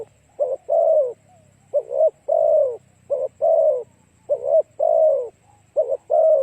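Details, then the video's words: Cooing of a spotted dove played to attract other doves: five phrases, each a quick two-part coo followed by a drawn-out, falling, slightly rough note, spaced about 1.2 seconds apart, with a quiet low hum beneath. "Cu gáy kích mồi tập bổi hiệu quả nhanh"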